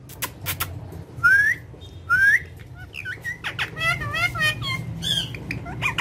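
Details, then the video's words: Pet speaking parrot gives two rising whistles a second apart, then a rapid run of wavering, voice-like chattering notes and clicks, over low indoor hum. "My So Cute And Friendly Speaking Parrot"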